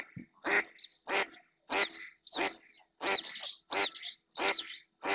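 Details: Mallard hen in the Doñana marshes, Spain, calling insistently while another female and a pair of males come near; a run of eight harsh quacks, one every 0.6 seconds, overlaid by short high squeaky whistles from other birds.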